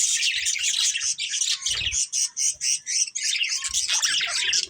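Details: Colourful budgies squawking and chirping in a steady, loud stream of harsh, rapidly repeated raspy notes, about four per second, with little pause throughout.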